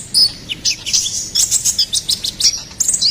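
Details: Song of a ruby-cheeked sunbird (konin kolibri ninja), played to train and lure songbirds: quick high chirps and thin whistled notes repeated in a lively, steady twitter.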